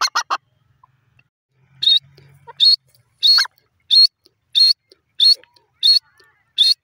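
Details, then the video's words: Francolin, locally called teetar, calling; loud harsh notes repeated about every 0.6 seconds in a steady series, after a few quick opening notes. "teter bird ki awaz,teter voice"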